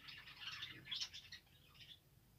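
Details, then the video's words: Australian parrots, or budgerigars, recorded December 2, 2022: continuous high, fast chattering warble with squeaky clicks, fading out after about two seconds. "Australian parrot beautiful birds"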